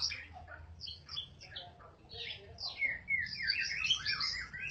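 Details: Eight-day-old fledgling white-rumped shama in continuous varied song: quick high chirps, bright whistled slurs and scratchy trills running together, with faint low rumble behind.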